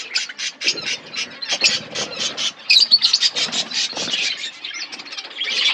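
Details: Budgies chirping in a forest aviary: a steady stream of short, rasping chirps with a few shrill squeaks standing out around the midpoint, the chatter continuing unbroken to the end.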